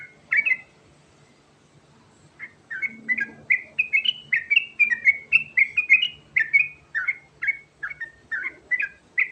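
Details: Trucukan, the sooty-headed bulbul, Garuda type, delivering ngerol rolling song: after an opening note and a gap, steady rapid series of clear, fluty notes, mostly falling in pitch, about two per second, over a quiet faint hum.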